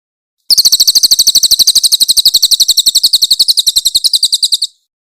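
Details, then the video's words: Grey-headed canary-flycatcher, known locally as cililin and noted for an ear-splitting voice, delivering a harsh 'tembakan kasar' burst for training magpie-robins. The burst is about four seconds of evenly spaced, sharp, high chips at a rapid, machine-gun pace, with a clean background. "AUDIO MASTER BURUNG CILILIN GACOR FULL TEMBAKAN KASAR & SUARA JERNIH"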